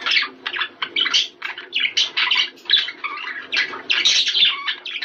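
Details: Budgerigar chatter played for breeding, in which busy, scratchy warbling alternates with squeaky chirps in irregular bursts.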